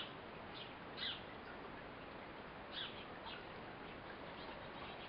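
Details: Eurasian blue tit mother feeding her fledgling; two clear, sharp high chirps nearly two seconds apart, with fainter chirps between, over a steady hissing background.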